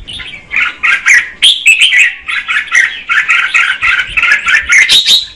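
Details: Red-whiskered bulbul female singing to stir the male: continuous chattering warble of short, mid-high notes repeated rapidly, ending in a higher clear whistled phrase.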